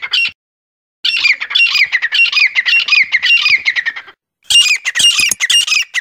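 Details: Forest quail lure call: a short squawk, then a long, steady run of rasping chatter notes, followed after a pause by a sharper, higher burst of clipped squawks.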